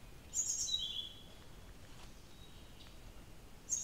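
Blue-throated flycatcher giving a high, thin phrase that slides down from very high to high pitch, with a brief high note returning near the end; light background hiss.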